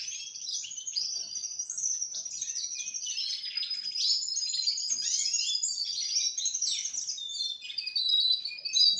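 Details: Four-month-old Russian canaries pour out a continuous dense warble of rapid high twitters and trills that barely pause for nine seconds.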